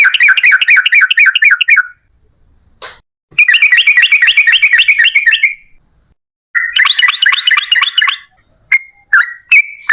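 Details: Yellow-vented bulbul in full song, a long rapid series meant to lure other bulbuls into singing: bursts of fast, evenly repeated buzzy notes lasting about two seconds each, broken by pauses and a few short single notes.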